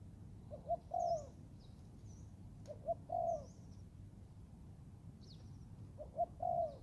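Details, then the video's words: Young Thai-line spotted dove training in the forest repeats three coo phrases, each a pair of short notes followed by a longer smooth coo. Other small birds chirp sharply and high in the background. "cu gáy 78 ( clip 52 ) thái tơ đag tập rừng"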